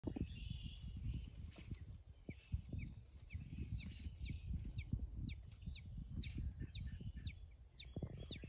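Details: Week-old American robin nestlings in the nest, giving faint, high, short squeaky chirps repeated in quick irregular bursts over a strong low rumble of background noise.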